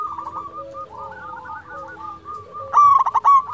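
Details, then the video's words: Zebra dove in full song for luring and arousing other doves: soft overlapping coos from many birds, then a loud throaty stuttering trill starting near 2.8 seconds and lasting to the end. "Perkutut lokal gacor suara merdu cocok untuk pancingan di jamin bikin lawan nyaut"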